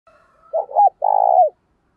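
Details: Decoy spotted dove calling in the morning, vigorous and ringing, used to lure wild doves: a faint soft lead-in, then a hollow broken double coo and a long rolling purr ending in a downward slur.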